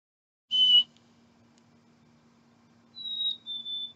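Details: A loud human-like whistle, apparently someone trying to communicate with the bird, is answered by a chickadee's clear two-note whistle, a higher note then a slightly lower one, over a faint steady hum.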